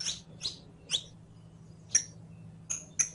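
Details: Saffron finch song, used as a model for teaching captive birds to sing: a sparse run of sharp, high chirps with pauses of up to a second between notes. A faint low hum sits underneath.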